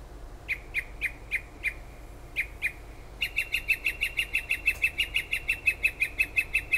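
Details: Bird singing in the late night and early morning near a kitchen window in Toms River, New Jersey: several scattered sharp chirps, then a fast, steady series of about twenty identical notes, roughly three per second, over background hiss.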